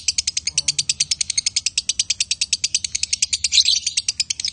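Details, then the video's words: Male and female lovebirds in a konslet-style performance: a fast, unbroken string of sharp, high chirps, about eight per second, steady throughout with a slight burst near the end. "Love Bird Jantan & Betina suaranya Bagussss"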